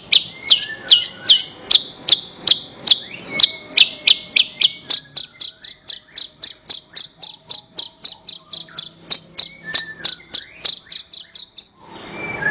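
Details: Horsfield's bush lark song for training other songbirds: a long, steady series of about forty sharp, high, slightly descending notes delivered several per second, with faint lower chirps between them, ending abruptly.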